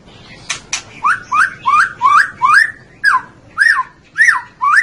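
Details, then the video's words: White-rumped shama song: a run of loud, clear, upward-slurred whistles repeated about twice a second after two brief sharp clicks, each note rising and bending. "Suara Burung Murai Batu"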